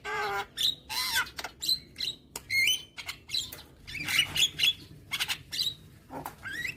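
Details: Javan myna song used as a training recording for young birds, played every morning: harsh squawks and rasping bursts mixed with short rising whistled notes, delivered in quick irregular bursts with brief quiet gaps.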